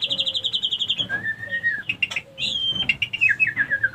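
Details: Lure sound of a female white-rumped shama, said to bring other females into breeding condition: a fast stuttering trill, long flat whistles, and descending run of warbled notes, a low whistle beneath.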